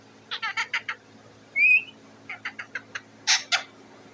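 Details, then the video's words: Pet parrot sitting atop its cage and making noise for food: quick chattering squawks, a single clear rising whistle, more chatter, then two loud harsh screeches. "The parrot is sitting on the cage and making a noise"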